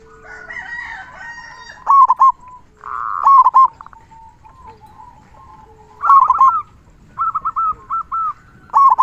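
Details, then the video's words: Local zebra dove with a big 'kung' voice, kept as a master to get other doves singing. Several loud bursts of quick, rolling coos with softer cooing in between, repeated over the recording. "Perkutut Lokal Gacor Suara Kung Besar Masteran Burung Perkutut Agar Bunyi"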